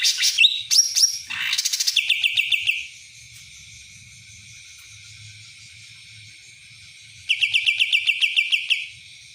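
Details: Cucak ranting delivering kapas tembak-style song: loud piercing whistles, then a rhythmic series of about twelve quick staccato notes, a long quiet gap, and another similar rapid series.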